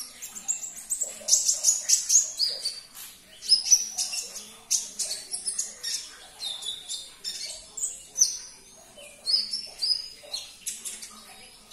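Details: Olive-backed sunbird song played to prompt a caged bird to sing: rapid bursts of sharp, high, thin chirps and short trills, separated by brief pauses and repeating steadily throughout, with faint background noise.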